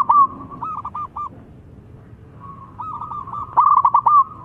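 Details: Zebra dove song meant to provoke rival doves into answering: rapid stuttering series of short rolling coos near one pitch, two bursts separated by a quiet pause, with a fainter dove answering in the background.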